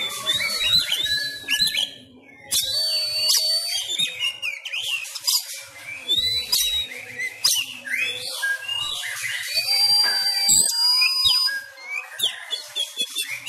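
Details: White-rumped shama of the Sumatran type, a caged bird in home training, singing its fighting-style song: loud varied whistles, rapid chattering trills and sharp high notes in dense continuous phrases with a short pause near two seconds.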